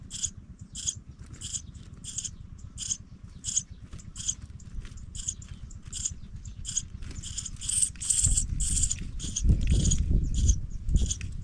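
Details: Young pipits leaving the nest utter regular, short, hoarse high-pitched hisses, about two a second, while a low rumbling disturbance rises in the last few seconds.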